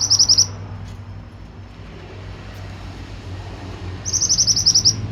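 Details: Pied bushchat singing vigorously: two bursts of about eight rapid, high, sharp chip notes, each burst under a second, about four seconds apart, over a low hum of distant traffic.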